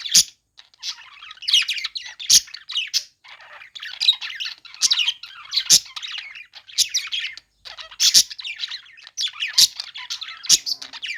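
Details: Budgerigars chirping while playing: dense, busy warbling chatter of scratchy squawks and quick high chirps, with short bursts and brief pauses throughout and a few sharp clicks.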